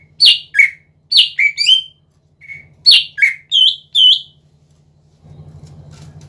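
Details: Greater green leafbird in full, lively song, used to stir rival leafbirds into answering: spaced sharp whistled notes and short slurred pairs with gaps between, a faint low hum throughout and a rougher background rumble at the end.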